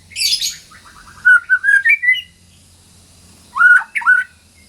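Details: Captive white-rumped shama played as a tutor recording: a harsh high scratchy burst, then rich varied whistled phrases with rising and falling slurred notes, a pause, and two more loud fluty whistles.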